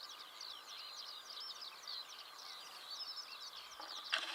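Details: Morning song of a Eurasian skylark in Belarus, June 2016: dense, high, warbling twitters and chirps tumbling together without a break, with a brief soft noise near the end.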